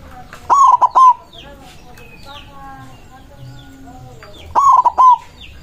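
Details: A white zebra dove with a big voice, singing eagerly from its perch to call rivals: a short, loud, wavering three-pulse cooing phrase, given twice about four seconds apart, with faint chirps of other birds between.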